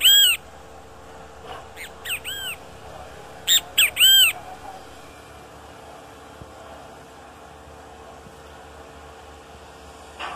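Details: A Great kiskadee in the wild gives loud, harsh, arching notes in short clusters of two or three, with long pauses between them, over a faint steady hum.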